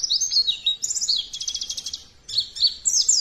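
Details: High, rapid white-eye warbling used as a trigger song for other birds: tumbling twitters, a fast trill near mid-clip, a short pause, then more sweeping chattered phrases.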